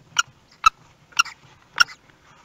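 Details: Common kestrel at a nest in Théding, France, 18 May 2021, as the first chick hatched; four abrupt harsh notes spaced roughly half a second apart over low background rustling and murmur.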